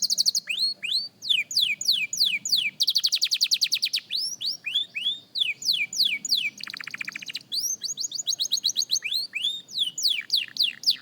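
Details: A young canary practises singing in a continuous stream of sharp downward-slurred whistles, broken by a fast rattling roll and a lower buzzy trill, then more quick sweeping notes.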